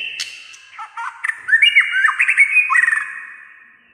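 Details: White-rumped shama pouring out a quick, varied song of chattering and warbled notes after an opening click, many short phrases crowded together, fading at the end.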